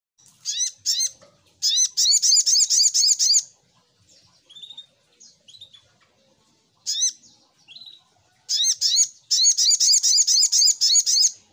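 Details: Little spiderhunter lure song: dense bursts of very high, sharp, rapidly repeated chipping notes, about four per second, in runs of one to two seconds, separated by softer scattered chirps and brief silences.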